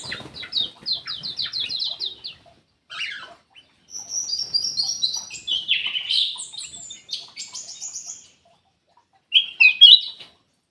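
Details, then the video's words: Ruby-throated bulbul song, kept in an aviary, used as a lure to coax a reluctant bird into singing: quick series of high chirps, then a pause, then bright whistled and slurred notes ending in a short twittering burst. "PANCINGAN KUTILANG EMAS MALAS BUNYI"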